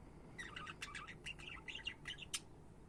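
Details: A budgerigar chatters in a rapid, busy warble of short squeaky and twittering notes that run together for about two seconds.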